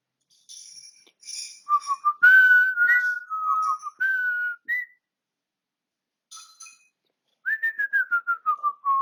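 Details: African grey parrot kept as a pet, indoors, 20 August 2022, whistling a wandering melody of smooth held notes rising and falling, followed after a pause by a rapid descending series of short whistles, with faint clinks between phrases.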